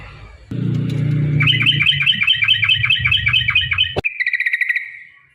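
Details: Yellow-vented bulbul, long rapid song used to make other bulbuls sing: a fast, steady series of bubbly, rolling whistled notes repeated about twice a second, ending in a trilled flourish, over a low humming background.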